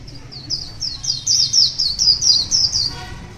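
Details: Morning song of a wild white-eye, a quick run of high, sweet downslurred chirps, roughly two per second, rising and falling in loudness, ending in faint lower notes.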